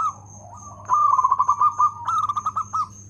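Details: Local zebra dove in full song with a loud voice and good rhythm: two bursts of fast, evenly pulsed cooing notes, the second more clipped and beat-like, over a continuous high tone and low mains hum.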